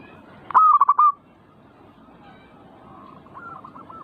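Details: Zebra dove song for provoking a perkutut to sing: one loud phrase of sharp onset and four rolling pulses, then after a pause a fainter bird replying with a similar pulsed coo.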